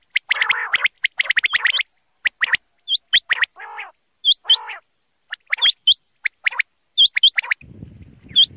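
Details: Calling of a male common quail: clipped, explosive notes grouped in quick runs, interspersed with high upward-hooked chirps and a few lower nasal notes, ending in a soft rustle.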